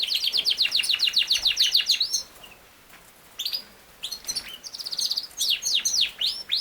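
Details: Yorkshire canary, also named king size canary, song: a rapid run of repeated descending notes, a brief pause, then high trills and swooping whistled phrases returning strongly.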